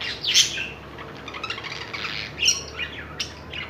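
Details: Caged budgerigars during mating: rapid twittering warble with scratchy chirps and a louder squeaky burst at the start and again midway, continuous soft chatter between.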